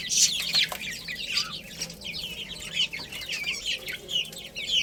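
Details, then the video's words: Many chicken chicks playing and eating, giving a dense chorus of high, downward-sliding peeps that overlap constantly, with a few louder bursts rising above the crowd. "Cute Little Chicks Chirping Sounds"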